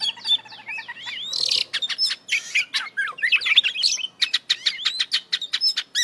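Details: Oriental magpie-robin (kacer) in full 'gacor full isian' singing, a varied song packed with mimicked fill-in phrases: high whistles, rapid sharp chips and buzzy bursts in quick, uneven succession.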